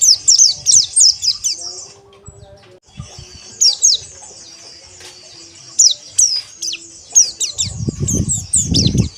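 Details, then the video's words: Caged pleci, a white-eye, delivering quick high descending chirps in clustered bursts, pausing between phrases; low thumping knocks near the end. "Terapi Pleci Ombyokan Agar Ngeriwik Kasar Dan Ngalas"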